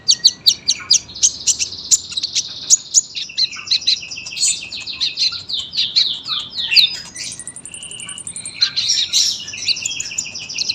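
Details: Sunbird singing a long, dense master song: quick clipped high chips speeding into continuous thin twittering, broken by a brief dry buzzy trill, then more rapid warbled notes.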